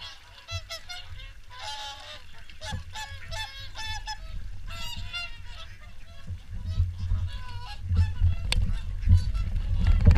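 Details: Swans calling during the morning feed at Caerlaverock: loud, nasal, trumpet-like honks repeated in quick succession by several birds, over a steady low rumble that swells toward the end.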